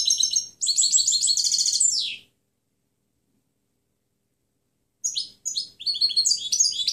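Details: European goldfinch singing its clean song (canto limpio), recorded to train other birds to learn it: a fast, high tinkling twitter of varied chirps and trills, a two-second phrase, a pause, then another burst.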